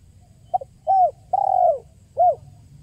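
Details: Tekukur, the spotted dove, used as a lure call: one full phrase of a soft double pickup, a short coo, a long rolling descending coo and a final clipped coo.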